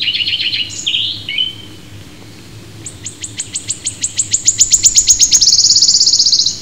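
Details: British wood warbler singing. A few high slurred notes lead into a run of sharp ticking notes that speed up and merge into a shivering, silvery trill lasting over a second.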